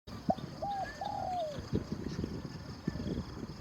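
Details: Spotted dove cooing during a decoy session: a short note, then two drawn-out, slightly falling coos, over steady rustling background noise.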